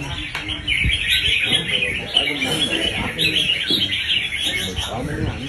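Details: Caged red-whiskered bulbul showing off quickly. Fast, busy warbled chatter runs without pause, with short trilled phrases and a few lower clicks and knocks beneath.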